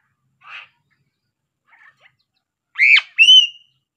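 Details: Sulawesi crow giving its unusual calls: after two faint short notes, a loud arched squawk is followed by a clear, drawn-out whistled note, both within about a second.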